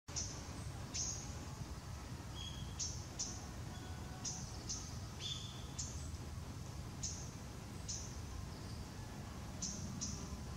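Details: Japanese tit giving its everyday calls on 20 November 2016, just after bathing, while shaking water off and stretching, filmed on a Nikon COOLPIX P900: faint, short, high descending notes repeated irregularly over a low rumbling background.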